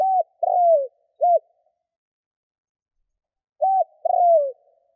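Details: Spotted dove kept as a decoy bird by Vietnamese bird-keepers, cooing to lure wild doves: a low mellow phrase of a short coo, a longer sliding coo that falls in pitch, and another short coo, repeated after a pause.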